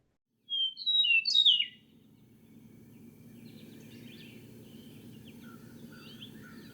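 Eastern Meadowlark giving one clear, sliding whistled phrase of several notes, high and falling, followed by fainter distant birdsong over a low background hum.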